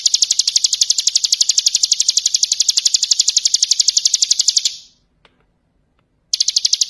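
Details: Bar-winged prinia singing in the ngebren style, used as a master song for training other birds: a long, rapid, even train of high buzzy chipping notes, breaking off into sudden silence before resuming.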